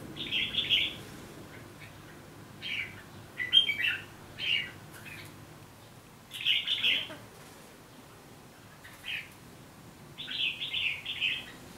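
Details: Red-whiskered bulbul repeating short, sweet chirping phrases every couple of seconds, some notes sharp and emphatic, separated by quiet gaps.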